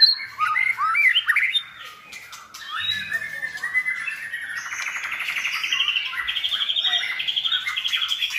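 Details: White-rumped shama song, several good-voiced shamas used to tutor a selected young shama toward a varied repertoire; rapid mix of whistled slurs and harsh notes, then a long run of fast repeated bright trilled phrases.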